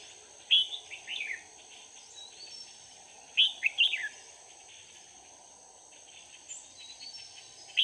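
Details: Red-whiskered bulbul used as a decoy during a bird-trapping session on 4 March 2019, singing to lure wild bulbuls: two bursts of quick, warbling, slurred phrases about three seconds apart, over a steady high insect hum.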